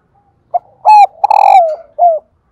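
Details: Loud, close female spotted dove call, used to make males coo. A quick note opens, followed by a held coo, a long rough rolling coo sinking in pitch, and a short falling coo to close.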